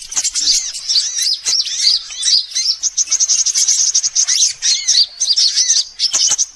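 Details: Bird-luring track of assorted sunbirds: rapid, jittery high chirps in clustered phrases, bright sharp notes and arched slurs, pulsing on and off in quick succession from several overlapping birds.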